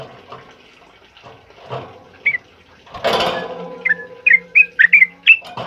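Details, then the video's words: Sooty-headed bulbul singing a loud, rapid ropel-style song during heavy rain, used as tutor song for other birds; after a noisy rustling burst, a quick run of sharp, bright chirps with falling notes repeats several times a second. "Suara TRUCUKAN ROPEL UPLIK Lantang Keras Buat Masteran"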